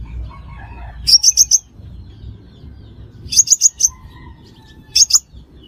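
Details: Sunbird, known locally as the five-coloured sunbird, with a recording offered as a trapping lure. Three short groups of high, sharp chirps, three to four quick notes each, separated by pauses. Faint low rumble in the background.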